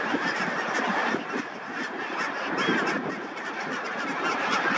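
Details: Barnacle geese (Branta leucopsis) at Tiskre beach, Tallinn, Harju County, Estonia, in a dense flock, a continuous chorus of short, yapping barks overlapping without pause.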